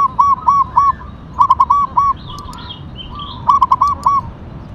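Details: Zebra dove, local perkutut of the katuranggan tumbak cucukan type, singing three phrases of four to five bright, arched coos each, with faint higher chirps from other birds between phrases.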